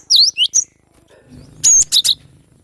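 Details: Young wild cinereous tit (glatik batu) in forest, giving a few high, sharp whistled notes, some sweeping down then up, in two short bursts separated by a pause.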